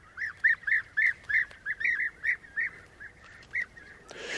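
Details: Several European bee-eaters at a breeding colony on a 3–4 m old eroded bank in Brandenburg, Germany, giving rolling, liquid 'prruip' calls, about three a second, overlapping; a brief noise at the end.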